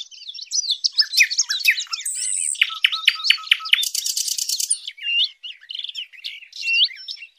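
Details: Sylvia warblers, recording used as a hunting lure; a fast, busy warble of thin high whistles, scratchy notes and buzzy trills, with a brief rapid ticking burst midway, continuing without pause.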